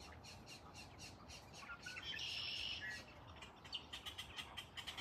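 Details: Two Anhingas atop a tree in Florida, one nearly swallowing the other's head and neck, perhaps mating or territorial behaviour: a harsh, raspy burst, then a run of dry clicking notes, about three per second, over a steady hiss.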